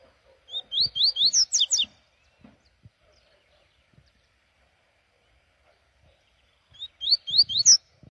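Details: Double-collared seedeater on a morning outing, giving two bursts of quick, bright rising whistled notes, about five notes each, ending in a higher flourish; quiet background.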